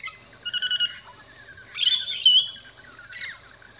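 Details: Rainbow lorikeets feeding at a backyard station in Australia. One short rapid chattered phrase, then a longer shrill screech, and a final brief squawk over quiet background chirps.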